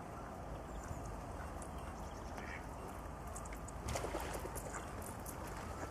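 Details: Mallards on the Alte Jeetzel river in Dannenberg in winter (31 Dec 2012 and 23 Jan 2013) give a few soft, nasal quacks, loudest near the end, over steady rushing background noise like wind or water.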